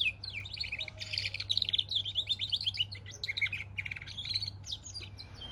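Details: Singing goldfinch and canary hybrid: rapid chattering twitters, short trills and scratchy buzzes tumbling together in an unbroken high-pitched stream, over a faint low electrical hum.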